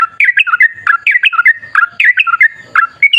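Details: Bubbly, stepped whistles from a sooty-headed bulbul in a long rolling 'ropel' song, wild in style and used to lure others into singing; quick phrases follow each other closely, ending on a rising note.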